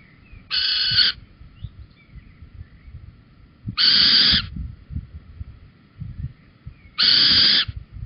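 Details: At Holten on the evening of 4 May 2020 a male Little owl brings a cockchafer; three strong, harsh, even-pitched calls, each about half a second, repeated roughly every three seconds over soft low rumble.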